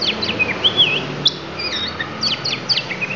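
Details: Oriental magpie-robin of the Lampung type singing isian: rapid high whistles that swoop and wobble, with a looping slurred phrase, then brisk clipped chirps, all over faint low background hum.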